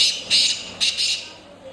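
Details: Black francolin (Francolinus francolinus) call: a harsh, grating call of four rasping notes in quick succession, high-pitched and scratchy, with faint background hiss.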